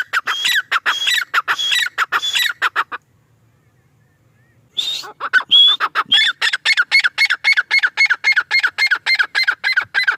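A male grey francolin gives a fast run of harsh, squawky notes, about three or four a second, with a brief silent break before the series resumes.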